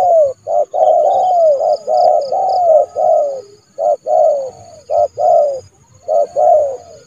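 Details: Spotted dove kept as a trained decoy, calling a rival into the yard to be trapped in January; steady series of short and longer mellow coos, some sliding downward, repeated about once a second with brief gaps.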